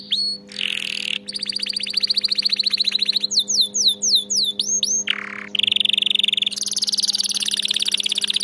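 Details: Canary singing, a song meant to train canaries: varied rolling tours of fast repeated high notes, buzzy passages, a set of swooping slurred whistles and dense rattling trills, changing every second or two, with a steady low hum underneath.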